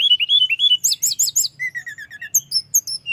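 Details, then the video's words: Energetic rolling song of a mountain flowerpecker (tledekan gunung) to agitate rival birds: short wavering whistles, a burst of very high loud chips, a descending series of even notes, then thin high slurs. "Kicau gacor tledekan gunung ngeroll‼️Ampuh menaikkan emosi lawan"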